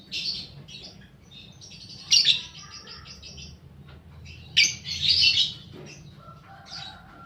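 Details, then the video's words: Young paud fighter lovebird used as a lure recording: brief shrill notes, then two loud bursts of harsh, chattering squawks at about two and four-and-a-half seconds. "pancingan burung lovebird paud balibu fighter mp3"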